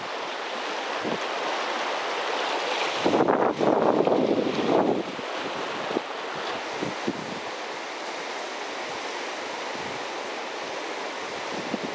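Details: Steady broadband surf and wind noise, with a louder wash of breaking waves around three to five seconds and no animal voices.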